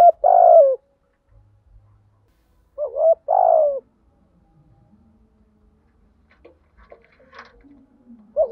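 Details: Decoy spotted dove cooing to provoke wild doves; two phrases about three seconds apart, each a clipped lead-in then a falling coo, followed by faint scattered background sounds and the start of another coo.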